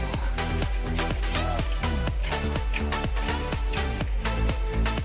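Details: Steady electronic dance music with a heavy bass beat fills the whole recording, and no animal voice can be picked out.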